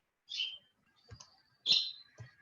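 House finch giving two bright, slightly downslurred chirped call notes about a second and a half apart, with faint clicks between them.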